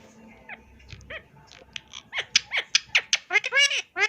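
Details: Pet Indian ringneck parakeet talking: after a quiet start with soft scattered notes, a run of loud, sharp, harmonic syllables, each dropping in pitch, comes in quick succession about every fifth of a second, ending in rapid buzzy chatter.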